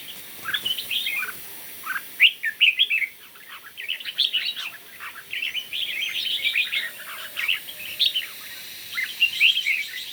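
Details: Competition singing by red-whiskered bulbuls in the morning: repeated loud bursts of sharp, tumbling warbled phrases separated by short pauses, with several overlapping singers.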